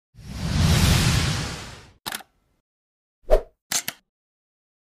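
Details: A two-second whooshing rush of broadband noise, followed by three short separate plops and clicks with silence between, and no animal voice.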